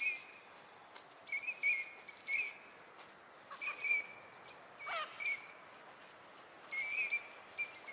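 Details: Eurasian teal at Junsai-ike green space, a park pond in Chiba, Japan, in March 2025, where the ducks winter. Short, clear whistled notes come in scattered bursts, each a quick high crick, about a dozen over eight seconds, with steady background hiss.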